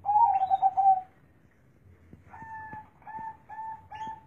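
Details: Zebra dove with a big, deep bass voice: a warbling coo phrase, then a pause and a run of short soft repeated notes, with faint background murmur.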